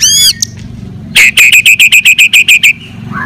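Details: White-rumped shama fighting song meant to provoke other shamas: a brief whistled phrase, then a fast string of about ten loud, evenly spaced sharp notes, ending in a soft upslurred whistle.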